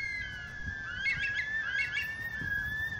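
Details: Bush Stone-curlew in the background in an Australian front yard in the morning; a mostly nocturnal bird: eerie, rising wailing whistles like a screaming baby over a steady high tone and soft background noise.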